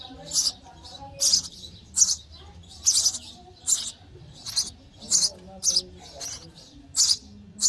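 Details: Nestling sparrows calling for food during feeding in the nest, a steady run of about eleven piercing, high chirps, roughly one every two-thirds of a second.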